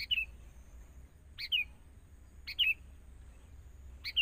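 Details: Forest sooty-headed bulbul being trained beside a decoy bird meant to bring wild birds closer: steady series of sharp two-note chirps falling in pitch, repeated about every one to one and a half seconds.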